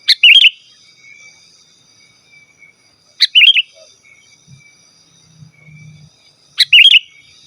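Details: Sooty-headed bulbul calling out rivals, suited to luring wild forest birds or tutoring caged birds: three crisp, bubbly whistled phrases, roughly three seconds apart, against a quiet background.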